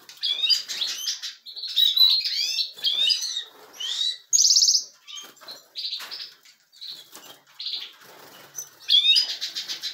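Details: European goldfinches in captivity at a breeding setup, getting livelier: rapid tinkling twitters and rising slurred notes, a harsh buzzy burst midway, then quieter scattered chips before a renewed twittering phrase at the end.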